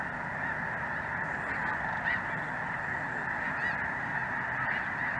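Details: Snow Geese among Greater White-fronted Geese filling the sky in southern Indiana, January 2023, chilly afternoon; unbroken layered honking from many birds, with a few clearer nasal yelps standing out around two and four seconds.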